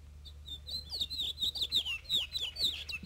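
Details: In Arizona in spring, a male house finch sings a long, rambling warble of quick, high, slurred notes, his own innovative version of the local dialect, over a low steady hum.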